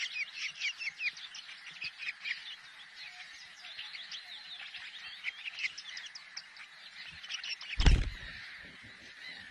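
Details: Long-tailed shrike (Lanius schach) song: a fast, scratchy chatter of varied high notes, mixing squeaks and harsh twitters without pause; a sharp knock interrupts near the end.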